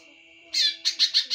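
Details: Greater green leafbird giving one loud harsh note followed by four quick, clipped rasping notes, over a faint steady whine.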